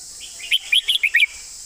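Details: Red-whiskered bulbul performing a master song in beautiful phrasing: one quick run of five rich, warbling whistled notes, each short and bright, against a faint steady hiss.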